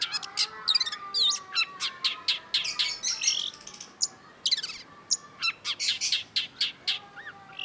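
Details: Long-tailed shrike, a songbird kept for song training, in a rich varied song: fast chattering notes, whistled upslurs and buzzy bursts high in pitch, delivered in dense phrases with brief pauses.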